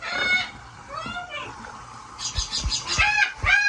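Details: Large blue parrot taking a bath in a sink: drawn-out hoarse cries with bending harmonics, then a quick run of rasping squawks mixed with splashing knocks and a faint hum.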